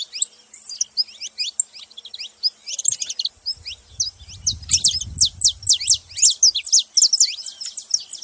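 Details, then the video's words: Saffron finch delivering fast, high-pitched chirping song, dense strings of sharp downswept notes throughout, with a brief low rumble of handling or background noise near the middle. "Canário da terra fazendo barulho"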